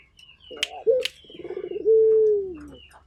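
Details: Barbary dove of a local strain: after a few clicks and wingbeats, a rough rolling coo settles into a drawn-out, gently falling tone, with faint bird chirps behind.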